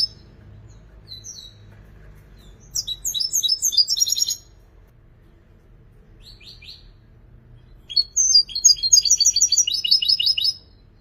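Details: European goldfinch singing in two long phrases of rapid, high, jingling twitters, each about two seconds, with isolated sharp chirps between them and a quiet background.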